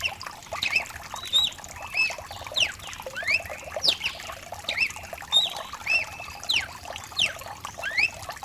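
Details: Mutation cardinal recorded to stimulate a pet bird into singing, mixed with rain. Clear whistled notes, some rising and some falling, arrive in short irregular bursts about every second over a steady hiss of rain.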